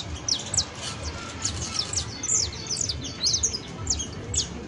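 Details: Canary singing on New Year's Eve 2022, a busy sequence of high, sharp downward chirps in loose clusters over a low constant hum.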